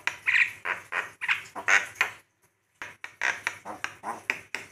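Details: Javan myna (jalak kebo) training song: loud harsh squawking notes repeated in an uneven rhythm, some with ringing nasal overtones, one short pause midway.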